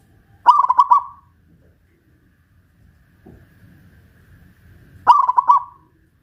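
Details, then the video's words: Caged local Pajajaran zebra dove from Kuningan, West Java, singing loudly after being hoisted up on a pole: two short bursts of rapid, trilled, rolling coos, about five seconds apart, with faint low rumbling between them. "Perkutut lokal pajajaran jawa barat gacor rajin bunyi"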